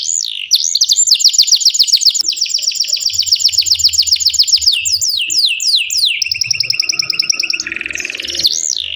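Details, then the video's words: Domestic canary, a kept songbird, singing a long continuous song used as a tutor recording for training young or silent canaries: rapid trilled phrases, swooping whistled sweeps and buzzy repeated notes, rolling without pause, with faint low hum beneath. "KENARI GACOR NGEROOL PANJANG❗❗MASTERAN KENARI PAUD DAN PANCINGAN KENARI MALAS / MACET BUNYI"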